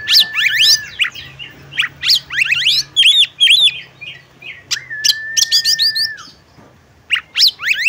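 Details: Oriental magpie-robin female calling the male to sing: a flat held whistle under quick rising sweeps, busy chirps and arched whistles, another long level whistle, a pause, then final sharp upward notes.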